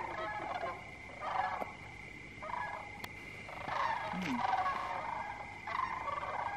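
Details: Migrating Sandhill Cranes flying in to roost at sunset, Jasper Pulaski Fish & Wildlife Area, Indiana, October 9, 2022; rolling, rattling bursts of calls come in groups about a second apart, over a steady high tone and faint background noise.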